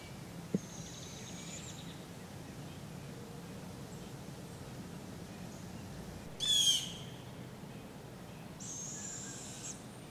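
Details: Barred Owl fledglings, fed by their parents while learning to hunt in a park in Polk County, Iowa, on July 6, 2017, give raspy, hissing screeches: a faint drawn-out one, a harsh burst, then a longer steady hiss, over a low rural hum.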